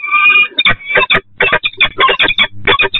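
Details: A female peregrine falcon at Catharina Church, Eindhoven, at 07:12 on 8 April 2020, as a male brings her small prey, gives a harsh nasal drawn-out note, then rapid grating chattering bursts about every third of a second.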